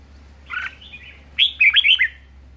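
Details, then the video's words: Caged red-whiskered bulbul, said to sing very well and vigorously, gives a double-toned chirp and soft slur, then a rapid cascade of four ringing whistled notes rising and dropping. "Chào mào hót hay | chào mào ché hay | chào mào siêu ché"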